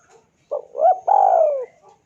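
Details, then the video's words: Spotted dove lure call aimed at a rival: a brief stuttering coo, a rising hooked note, then one long sustained coo that drifts downward before stopping, against near silence. "PANCINGAN SUARA BURUNG TEKUKUR DERKUKU MEMANGGIL LAWAN IKUTAN BUNYI"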